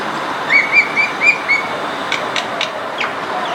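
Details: Common myna visiting a home backyard in India, giving a quick run of five short, clear, slightly arched notes about a quarter second apart, then faint clicks and rustling over a steady background hiss.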